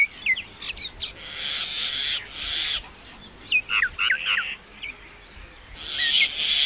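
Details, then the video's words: Common myna with clicks and bent whistles interleaved with bursts of scratchy, wheezy noise, ending on a sustained harsh rasp. "Common myna bird song /Indian maina sound /mynah singing"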